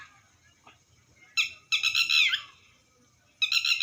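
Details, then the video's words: Red wattlebird squawking harshly, a short rasp, then a longer coarse buzzing burst lasting most of a second, and another rasp after a pause. "Red watteld bird sound tatteri"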